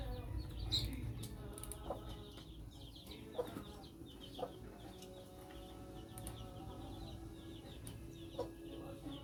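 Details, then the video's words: Thirteen-day-old Silver Laced Wyandotte chicks eat cooked fish alongside a hen, following the mother hen's lead to food. Many thin, high peeps come rapidly and irregularly over steady low background rumble, with a few sharper clicks and knocks. "Silver Laced Wyandotte chickens eating"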